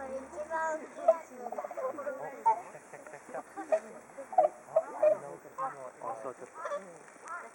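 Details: Whooper swans gathered in a flock awaiting food at Hakuchodai Sebatto, Onuma and Konuma lakes, giving a constant babble of short trumpeting honks, many birds calling at once with repeated louder bursts.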